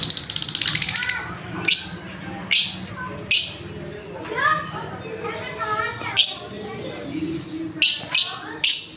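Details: Lovebird chirping: sharp, high chirps and squawks come in irregular bursts, several in quick succession near the end, with lower warbled, harmonic-rich notes between them over a faint background hum.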